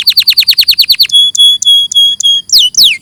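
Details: Canary song in a clear recording for training birds: a quick series of falling notes, flat sustained whistles repeated about three times a second, then sharp downward sweeps.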